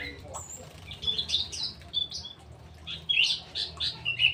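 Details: Cucak rowo, the straw-headed bulbul, gives a string of short bright warbled notes, sparse at first and then coming quickly in a bubbling burst, over a faint steady hum.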